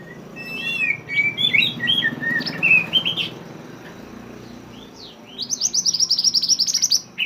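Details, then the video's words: Mantenan bird in lively song for training other songbirds: a chain of short whistled slurs, a pause with low hum, then a rapid rattling burst of high sharp notes and a final chirp. "mantenan gacor burung masteran / chirping sound bird"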